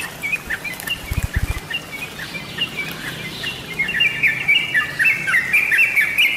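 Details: Sooty-headed bulbul lure recording for birds: faint chirps at first, a few low thumps, then a run of quick, bright, repeated chirping notes that grows louder and busier toward the end.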